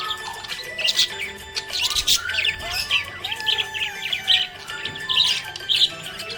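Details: Happy budgerigar chirping: rapid, scratchy bursts of high chirps and warbles tumble over one another in quick succession, with a music track with sliding sung tones playing steadily underneath.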